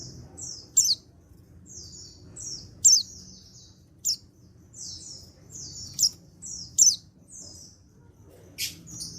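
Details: Untrained male white-eye (pleci) from Pacitan, 14 October 2022, calling so others reply; very high, thin slurred notes alternate with sharp piercing chips roughly every second, against a faint low background hum.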